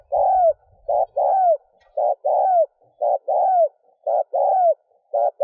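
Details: Repeated cooing of a spotted dove meant to stimulate a decoy bird: each phrase a brief coo followed by a drawn-out falling coo, evenly spaced roughly once a second, clean with no other sounds.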